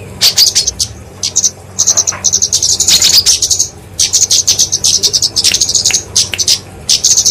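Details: Flowerpecker fighting song, used for training and luring small songbirds: very high, thin, rapid chattering twitters in dense bursts with brief pauses, loud and continuous.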